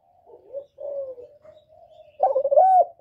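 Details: Spotted dove coo, used to stimulate newly kept birds: a series of quiet, low, mellow notes, then a louder, rising and falling hollow coo near the end, clear against a silent background.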